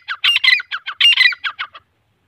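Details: Male and female grey francolin give a burst of about ten harsh, scratchy notes in quick succession, loudest near the start and fading toward the end, no other sounds.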